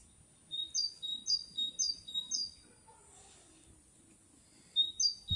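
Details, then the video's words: May 2021 birdsong: four bright two-note phrases in fast succession, each a low whistle stepping up to a higher one. A quiet stretch follows, then another phrase begins, over soft low background hiss. "пение птицы"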